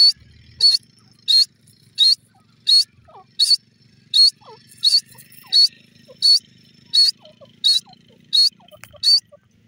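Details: Francolin, presented as the Irani or white (gora) teetar, possibly a female, gives sharp, high, scratchy notes about every seven-tenths of a second in a steady run, over a low hum and faint soft chirps.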